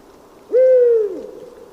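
A single deep hoot from a Eurasian Eagle-Owl, about half a second long, steady then sliding slightly lower at the end, over quiet background hiss.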